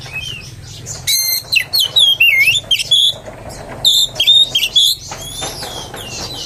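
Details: Oriental magpie-robin song used as a lure to provoke other magpie-robins: after a quiet second, loud varied whistled phrases, rising and falling slurs, with rapid buzzy notes. The bursts are irregular and a low steady hum runs underneath.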